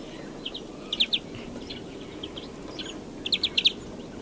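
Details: European greenfinch song made of clipped, high chirping notes in small groups, a pair of louder ones early and a rapid run of four near the end.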